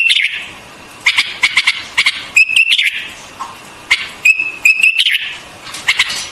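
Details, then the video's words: A white-eared bulbul sings in quick bursts of sharp, chattering notes broken by short, clear, level whistles, a new phrase every second or so, against a quiet background. "White-Eared Bulbul Song"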